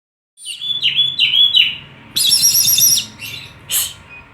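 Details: Oriental magpie-robin call, used to stir birds into singing: a series of sweeping whistled notes, then a loud harsh buzzy burst and a final rasping note, with a short spoken exclamation just after.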